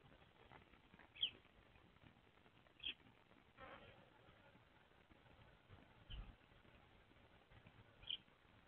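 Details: On a February morning in 2024, a male and female Eurasian tree sparrow sit together atop their nest box and exchange calls. Four brief, sharp, high chirps are spaced about one to three seconds apart against a low noisy background.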